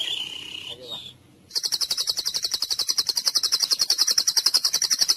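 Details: Shama therapy song: a steady whistled tone and short note open, then a long, even, buzzy high trill pulses about four times a second.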